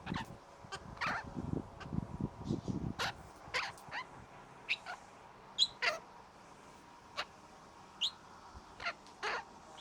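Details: A visiting male Australian king parrot, showing off and likely hoping for food, makes sharp, dry clicks every half-second or so with brief high squeaky chirps; low rustling thumps open the clip.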